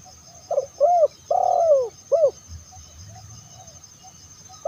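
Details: Spotted dove calling to draw in other doves: a four-part phrase of short, arched, long falling and short coos, then quiet hum before another coo begins at the end.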